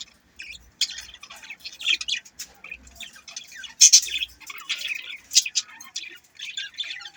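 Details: Budgerigars warble and chirp steadily, a busy stream of rapid high twitters and harsh little squawks with a few louder bursts.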